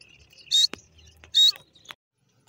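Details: Desi teetar, or francolin, giving two short, loud, rasping high notes about a second apart, followed by a soft click and then quiet.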